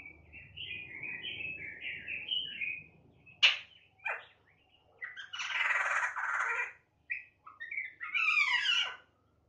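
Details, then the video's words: Black-winged starling recorded 28 September 2018, a bird said to imitate a cat's meow and give loud harsh rattling calls; a run of warbled chattering notes, then a sharp crack and a long harsh hissing rasp, ending in wavering squealing notes. "AWAR AWAR JAMBUL GACOR"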